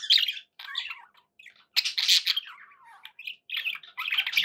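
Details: Budgies in a home setting squawk and chatter: harsh grating bursts, a long descending whistled slur in the middle, then more buzzy chirping at the end.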